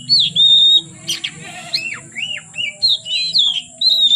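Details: Oriental magpie-robin in full song late in the day, heard into darkness: loud pure whistles, upward-sweeping and falling slurs, and scratchy notes in short phrases. A faint low hum sits underneath.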